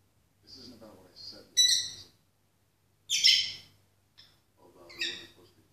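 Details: Female peach-faced lovebird singing to the TV: soft chattering notes broken by loud, harsh, buzzy squawks at irregular intervals.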